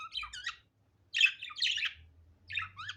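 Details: Pet budgerigar, unedited natural sound: three short bursts of scratchy, squeaky chirping separated by half-second pauses, with a faint low hum underneath.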